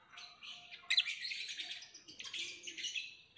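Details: Continuous soft, scratchy twittering from a lovebird, high and buzzy, with a few sharper squeaks rising above the steady chatter.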